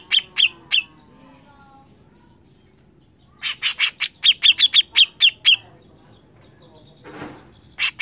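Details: Grey-cheeked bulbul in persistent song for songbird training: three clipped chirps, a long silence, then a rapid burst of sharp downslurred notes, a soft rustle and a final chirp.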